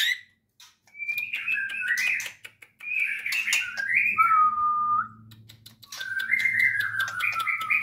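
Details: White-rumped shama, a productive breeding bird from a nationally winning line at a local breeding farm, giving rich varied whistled phrases with rising and falling slurs, broken by clicking noises and a low hum.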